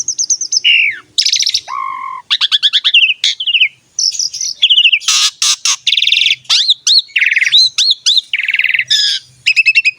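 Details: Very vocal Asian pied starling song used to coax young males and females into singing: loud, tightly packed sequence of clear whistles, harsh rasping bursts, stuttering trills and upslurred notes with barely a pause.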